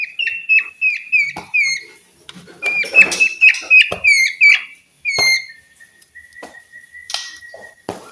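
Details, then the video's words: White-rumped shama song for coaxing quiet birds into song: rapid repeated whistled notes in quick runs, some harsh chatter, then spaced level whistles toward the end. "TERGODA DENGAR SUARA KICAUAN MURAI BATU INI"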